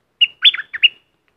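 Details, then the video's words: Single brief phrase from a streak-eared bulbul in southern Thailand, a burst of liquid, slightly slurred chirps lasting under a second. "เสียงนกดอกแตงภาคใต้Ep2.Burung merbah lekir bay hoach thom gacor bahanan"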